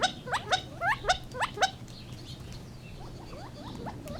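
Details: Gambel's quail calling: a burst of loud, sharply rising chipping notes over about two seconds, then quieter rising notes from other birds, over a steady low hum.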